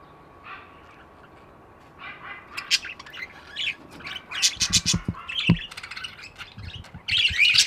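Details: Budgies chatter with scratchy twitters and squeaks that build into dense bursts, with low taps and a loud harsh chorus at the end.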